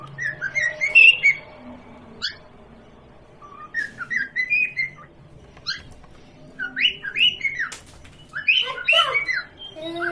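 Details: Home parrot playing with a baby and said to talk: scattered bursts of squawky, sliding whistled chatter separated by quiet gaps, busiest toward the end.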